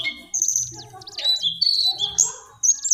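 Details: Brief lesser shortwing phrases of high whistles and quick slurred notes, separated by short pauses, over faint low murmuring.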